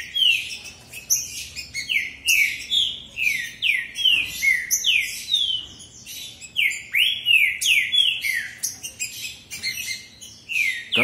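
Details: Two captive territorial green-winged saltators (Saltator similis) sing against each other in a song contest, giving loud, rich whistled phrases of slurred, falling notes that overlap almost without pause.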